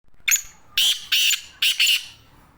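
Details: Black francolin calling in Sindh, Pakistan: a short opening note followed by three loud, harsh, grating bursts in quick rhythmic sequence, each about a third of a second, with quiet background between notes.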